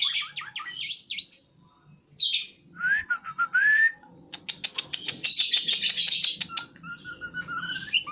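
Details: White-rumped shama, a murai batu in breeding condition: varied song of quick slurred whistles, a rising whistle, rapid clicking series and a long buzzy trill, then soft level whistles, low hum behind.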